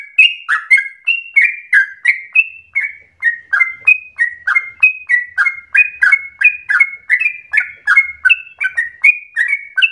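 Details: Yellow-vented bulbul song used as a lure to get other bulbuls singing long, rapid phrases: a steady run of bubbly, liquid whistled notes, some rising, some falling, about three per second, with no other sounds.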